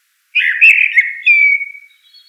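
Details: Common blackbird delivering one full, rich warbled phrase that ends in a long drawn-out descending whistle and a faint high trill; quiet surroundings.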